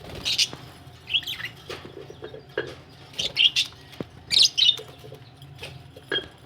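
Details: Budgerigars said to be ready for laying eggs, giving bright chirps and short warbling notes in scattered bursts, several louder clusters near the start and middle, with faint rustling and a low steady hum behind.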